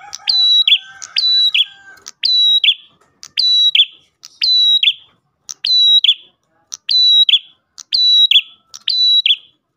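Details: Rapid series of ten Ash tailorbird phrases, a lure for other tailorbirds, each a tick, clear high whistle and burry drop, about one per second, with faint low background noise at the start.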